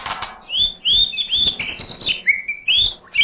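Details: White-rumped shama singing nonstop full-fill song: high, bright, arched whistles repeated in quick succession, then lower steady whistled notes, with scattered sharp chips.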